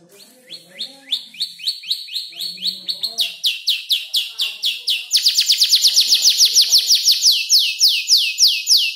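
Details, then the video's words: Young canary of around five months, practising song built from imitated birds including ciblek, klik-klik and prenjak lumut; fast, repeated down-slurred whistles accelerating into a dense rolling trill, with faint low murmurs behind. "Kicau burung kenari gacor noto lagu U 5 bulan"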